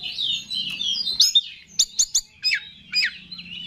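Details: Oriental magpie-robin, song used to excite rival males; a sustained warbled phrase, then isolated sharp chips and downward-slurred whistles with pauses between, over a low steady hum.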